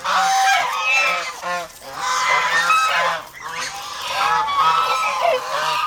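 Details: An over-protective flock of domestic geese in the Philippines calls in harsh, nasal honks, roughly thirty bursts a minute at an uneven pace, with many birds overlapping and brief dips in loudness.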